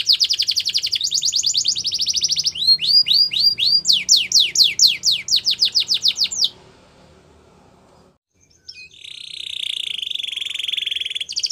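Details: Singing Gloster canary in a training song: a quick rattling trill turns into a string of loud descending whistled sweeps. About two seconds of near-silence follow, then a long buzzy, rolling trill.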